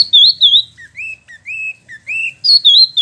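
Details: Clear whistled phrases from a captive spot-throated babbler (Wambi Mini) in Bandung, West Java, newly moulted: high wavering whistles alternating with lower upslurred notes, about a dozen notes in three seconds.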